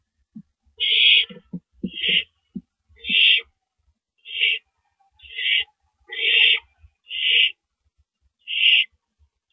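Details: Owl, male delivering a rabbit to the nest at night, 1:11 AM on April 6 2012: harsh hissing screeches repeated about every second, with a few faint low soft notes early on.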